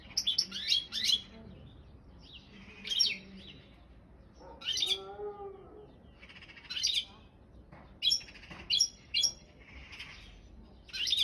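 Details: European goldfinch of subspecies balcanica in an online goldfinch song championship: short separated bursts of twittering and chirps, with a lower squeaky harmonic sound midway through.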